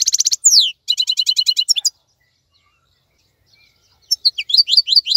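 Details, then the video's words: Goldfinch in song during the moult period: a buzzy trill and falling slurred whistle, a rattling series of notes, a two-second silence, then renewed quick twittering. "تغريد افضل من كل تغاريد طائر الحسون الخلوي"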